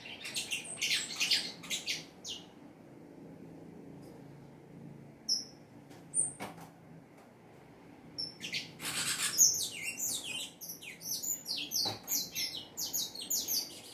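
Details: Saffron finch singing a lot: bright chirped phrases open the stretch, then a long near-silent pause with a few isolated notes and clicks, before a rapid, dense run of high descending chirps resumes and continues to the end.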